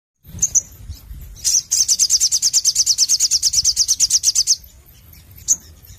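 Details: Crimson sunbird (sogon) singing busily in the 'nembak' style: scattered high thin chips, then a fast, even trill of sharp high notes lasting about three seconds, followed by a lone chip; low background hum.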